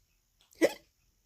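A sun conure gives a single short, hiccup-like squeak copied from a person.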